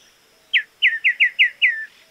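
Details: Crested Becard (anambé negro), one of Argentina's common birds, gives six clear whistled notes in quick succession, each sliding down sharply, about a fifth of a second apart.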